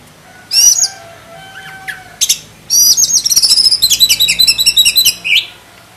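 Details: Black-breasted oriental magpie-robin starting with a few sharp chirps and whistles, then pouring out a fast, rhythmic trill of high repeated notes lasting about two and a half seconds.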